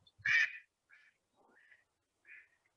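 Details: Male mallard at the City of Davis wetlands in March gives its alarm call, meaning someone is in the way: one loud, harsh, nasal quack, then three softer, shorter quacks spaced about half a second to a second apart.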